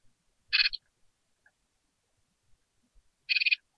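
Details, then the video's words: Newly hatched great tit nestlings in a nest box, hungry and being fed, give two short bursts of harsh, high, rapidly pulsed begging calls about three seconds apart. "Jungvögel im Kohlmeisennest | Hungrige Mäuler wollen gefüttert werden!"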